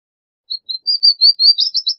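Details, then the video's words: Palestine sunbird singing a high-pitched phrase: a few spaced thin notes that speed up and climb into a fast, jingling trill at the end. No other sounds. "Suimanga Palestino Canto! Suimanga Palestino Llamado! Voz! - Palestine Sunbird Song - Cinnyris Osea"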